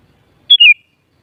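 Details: Single short sooty-headed bulbul phrase: a high whistled note followed by a slurred, descending whistle, lasting about a quarter second in otherwise quiet surroundings.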